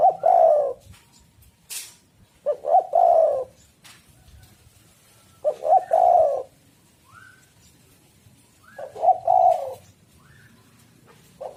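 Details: Spotted dove (tekukur) cooing, used as a lure to draw birds: four low, mellow coo phrases around every three seconds, each a short note then a longer burred coo, with faint higher chirps from other birds between.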